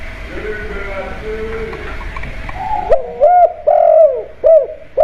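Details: Home-kept spotted dove cooing as a lure to set other birds calling: low-pitched mellow coos start midway, a long held note followed by shorter rounded ones, after a stretch of faint room noise.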